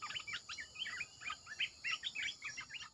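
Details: Decoy song of a red-eyed bulbul: lively, chattering burst of short liquid notes bending up and down, delivered in quick clusters with brief gaps over a faint constant hiss.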